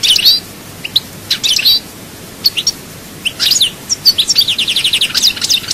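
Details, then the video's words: Goldfinch song in chaayba style from Souk Ahras: scattered short twitters and chirps with pauses, building into a fast, rhythmic trill of rising notes at the end. "chant chardonneret souk ahras chaayba"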